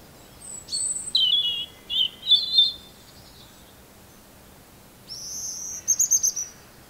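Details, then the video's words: Robin song in two bursts: a run of sweet, high, wavering whistled notes, a pause, then a thin, sustained, very high phrase ending in quick flickering notes. "Beautiful singing of robins"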